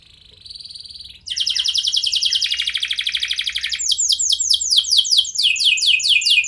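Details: Canary lure song, a frequent singer used to prompt other canaries to respond: a faint high whistle, then loud rapid buzzy trills of repeated notes, ending in a run of sweeping downward-slurred syllables.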